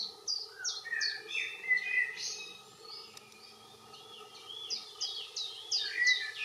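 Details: Common chiffchaff singing its steady chiff-chaff, high notes alternating up and down about three times a second, with a common blackbird's lower warbling in the background and a steady hum.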